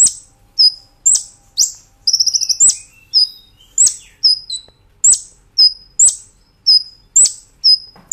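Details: Brown-throated sunbird singing in a cage-bird training master, in the vigorous nembak ngerol manner: sharp rising notes alternating with thin level whistles about twice a second, and one fast buzzy trill early on.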